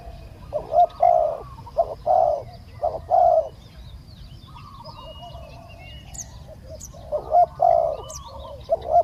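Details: Live decoy session luring a wild spotted dove; bursts of low hooting coos at the start and end, a quiet middle stretch, and sharp high chirps from other birds overhead.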